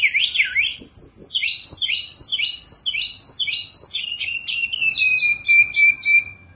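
A Sunda robin sings a fast, varied run of high chirps and slurred whistled notes in quick phrases, ending in a long, steady trill. No other sounds are heard.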